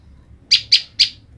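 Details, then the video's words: Three crisp, high, sharply struck chips, evenly spaced, from a female olive-backed tailorbird calling the male she was separated from. The background is quiet. "Prenjak lumut betina memanggil jantan"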